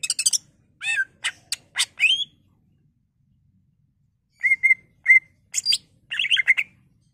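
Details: Greater green leafbird song played to stimulate other leafbirds, mixing harsh chattering notes and sharp clicks, then steady whistled notes around a clear mid pitch and a closing jumble of squeaky chirps.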